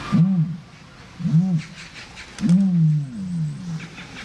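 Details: Common ostrich booming: two short muffled booms, then a longer drawn-out boom that slowly fades. Booming is a mating-season call given only by males.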